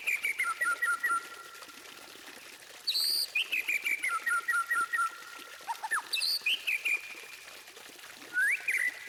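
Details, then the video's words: White-rumped shama song meant to set other birds singing: clear repeated whistled notes in stepped phrases, a high ringing burst and a final rising whistle, over a constant watery hiss. "Masteran Burung Murai Batu Terbaik: Bikin Semua Burung Ikut Bunyi!"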